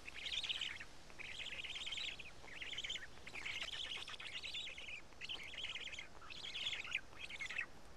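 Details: Black storks feeding at a Karula nest on 31 May 2017, 12:47, chicks pulling apart two large fish; hoarse, buzzy bursts of varying length follow one another with brief pauses.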